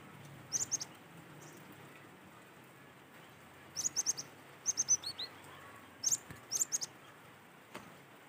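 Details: Wild cinereous tit song, used to prompt other tits to sing: short, high, sharp two-note and three-note phrases repeated in bursts every second or so, with a soft descending twitter mid-clip and a quiet background.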